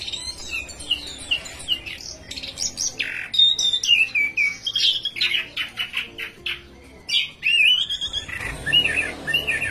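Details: ['Orange-headed thrush singing hard: slurred descending whistles, squeaky chips and harsh scratchy bursts in quick succession, with low humming tones in the background.']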